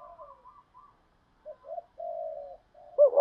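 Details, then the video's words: Spotted dove lure call to provoke cooing, 'thổ' voice style: a series of soft, low, hooting coos building to a long, even coo and a louder rising note at the close. "tiếng chim cu gáy kích bổi nhanh gáy nhất"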